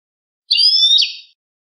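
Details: European goldfinch singing a clean cante limpio phrase intended for educating caged birds: a single bright, liquid twitter with a buzzy ending, under a second long, against silence.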